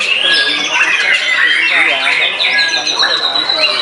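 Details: White-rumped shama, just after moulting, singing in a frenzy to overpower a rival: dense, fast run of loud whistled and chattering notes around mid to high pitch, with clear sliding whistles, continuous with no pauses.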